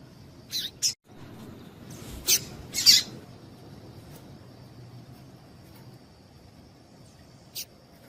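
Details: Female Double-collared seedeater calls, used to excite males and make them sing: short, harsh high chips, a pair near the start and a pair around three seconds, one later, over a faint low hum.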